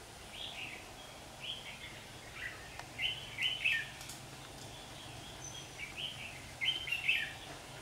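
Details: Red-whiskered bulbul at a trapping site on 27 September 2019 amid fighting birds; short warbling phrases repeated every second or so, louder bursts near the middle and end, with a steady low background hum.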